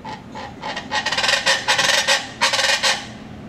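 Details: Chachalaca in Huatulco at about 6:30 AM gives loud, harsh, grating calls in rhythmic bursts that build to a raucous chatter over a few seconds, with faint background hiss.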